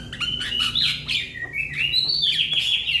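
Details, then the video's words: Young Javan myna calling for its companions with an almost continuous stream of loud, wavering whistles and chattering slurs that rise and fall, giving a busy, gurgling effect. "Jalak kebo Muda Memanggil Kawan Suara Asli Jalak Kebo"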